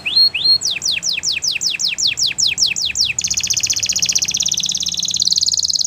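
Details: A Belgian canary sings a tutor song for young canaries in training: high, clear tours of two rising notes, quick downslurred whistles about four a second, then a fast, dense rolling trill.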